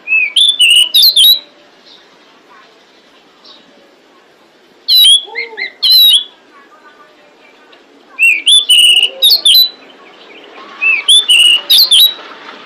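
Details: Female pied bushchat calling for males, delivering four bursts of high, sharp whistled chirps at irregular intervals, with faint lower sounds in the quiet stretches.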